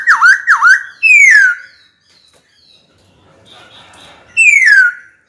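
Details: White-cheeked laughingthrush singing to call a rival to fight: two loud dipping whistled notes, a clear downslurred whistle, a quiet pause with faint notes, then another strong downslurred whistle.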